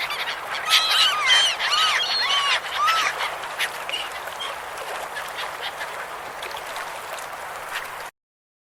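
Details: A flock of gulls by a river call over one another, with shrill, arched, slightly nasal cries repeated several times a second, strongest early on, over a steady background hiss.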